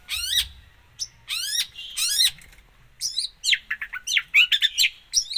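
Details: Long-tailed shrike in full song packed with imitated phrases: three bursts of rapidly repeated rising sweeps, then a jumble of quick slurred whistles and chirps switching pitch from note to note.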